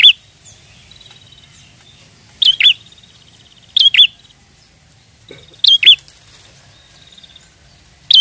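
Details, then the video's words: Prinia calling as trapping bait, giving scattered doubled chirps with drawn-out buzzy trills in between, gaps of one to three seconds, over a soft low background murmur. "Pancingan prenjak gacor ampuh pikat burung prenjak"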